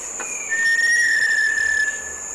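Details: Little tinamou (Crypturellus soui), 23 cm, song in very humid tropical Chocó forest at San Cipriano reserve, Valle del Cauca, Colombia, about 200–300 m elevation: a single long, pure, steady whistle rising very slightly, about 1.5 seconds, over faint insect hiss.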